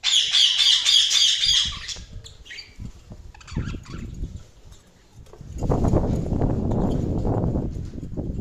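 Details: Budgerigar chirping: about two seconds of rapid, high, buzzy chatter, then fainter squeaks over a low rumbling background noise that grows louder toward the end.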